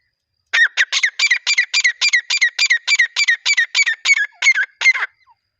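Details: Partridge (teetar) call used for attracting partridges when hunting: a fast run of loud, harsh, strident notes, about three per second, each with a ringing upper edge, about fifteen in a row, then the series stops abruptly.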